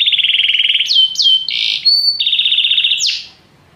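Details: Canary singing a quick trill, sharp upslurred whistles and pure tones, then another buzzy trill and a final rising sweep before falling silent.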